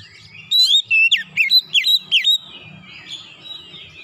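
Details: Oriental magpie-robin singing in the loud 'nembak' style, with fill-in phrases: a burst of loud, sharp whistled notes that rise and fall, repeated quickly for about two seconds, then fading into soft, continuous warbling with a faint low hum.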